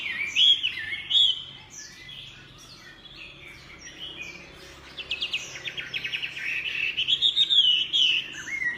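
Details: Chinese hwamei song with loud whistled notes early, a quieter stretch, then a fast trilled rattle and lively repeated whistled phrases building toward the end.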